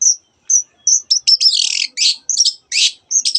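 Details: Long-tailed shrike song filled with borrowed canary and other bird sounds: clear high whistles spaced apart, then harsh buzzy rattles and trills mixed with sharp chips.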